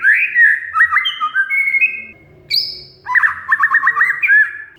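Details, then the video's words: Lure recording of a kacer (oriental magpie-robin) for a bird that has stopped singing: sweet whistled notes, a high thin whistle, then a fast, sharp chattering run of repeated notes. "Kacer Mogok Bunyi Tiba-tiba Gacor Isian Mewah"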